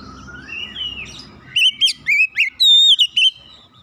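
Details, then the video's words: Lure song of an Oriental magpie-robin that prompts others to join in: a quiet rising whistle over low background hum, then six loud whistled phrases with a long, level note near the end. "PANCINGAN KACER langsung latah ikutan gacor"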